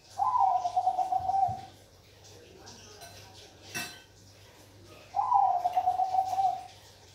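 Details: Bangkok-type zebra dove (perkutut) singing: two bubbly cooing phrases, each opening with a short rise and then a rapid pulsed, slightly falling trill lasting about 1.5 seconds, separated by a pause with a single metallic clink.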